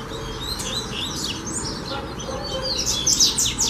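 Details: A Coleiro, or Double-collared Seedeater, sings in a session turned fibra training. It gives a rapid series of sharp high chirps and slurred whistles, growing louder and denser toward the end, over faint background hum.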